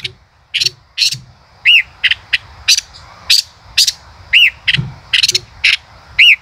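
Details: Male common rosefinch delivering 'chế cựa hai' song: steady sharp ticks and clicks roughly every half second, broken by three arched, slurred whistled notes repeated at intervals.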